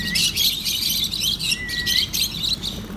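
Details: Lovebirds chirping while eating soft food at mealtime: rapid bursts of shrill, scratchy chirps run almost continuously, broken by two thin, level whistled notes, against a low steady hum.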